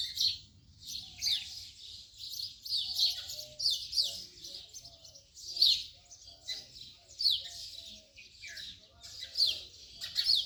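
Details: Repeated house sparrow chirps, rough and high, come in clusters roughly every second across ten seconds, with brief quieter gaps between bursts.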